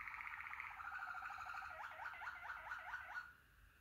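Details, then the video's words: Waterslager (Malinois) canary singing in the klokkende (bell) style: a steady rolling trill that breaks into quick zigzag warbles dipping and climbing, then stops abruptly, with a low background hum. "malinois waterslager canari malinua"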